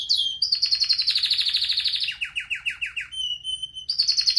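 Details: Pet red factor canary in full training song, changing rapidly between tours: a dense high trill, a series of quick downward-sweeping notes, a clear level whistle, then a renewed high trill.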